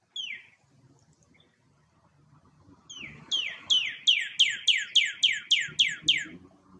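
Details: Male Northern cardinal heard in a neighborhood one evening. A single down-slurred whistle opens, then after a pause comes a fast run of about ten sharp, descending whistled notes, over a soft low background hum.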